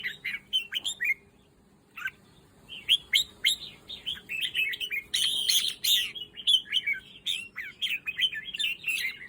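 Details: Caged red-whiskered bulbul kept for breeding, singing a run of bright, fluty, warbled phrases with quick up-and-down notes, a short pause early on, then a dense chattering stretch; faint steady hum underneath.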